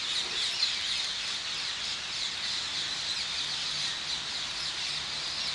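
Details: Several hundred rose-ringed parakeets gathered in the morning on the islet in the Hofvijver, The Hague: harsh high screeches merging into a dense, continuous shrill wash with no single call standing out.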